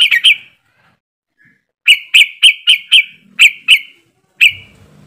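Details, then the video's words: Yellow-vented bulbul group ('ombyokan') lure sound meant to set birds singing: three quick bright chirps, over a second of quiet, then a burst of about seven sharp chirps and a final note. "TRUCUKAN ombyokan,TRUCUKAN ROPELAN untuk bahan cepat bunyi"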